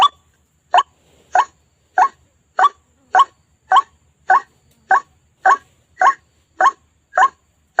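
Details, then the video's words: White-breasted waterhen calling, used to lure birds into traps: thirteen brief, nasal, upward-inflected croaks in a steady series, spaced a little over half a second apart. "SUARA PIKAT RUAK RUAK"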